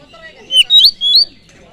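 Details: Oriental magpie-robin song for provoking other birds: three loud, slurred whistles in quick succession, each sweeping upward and bending over, clean against a quiet background.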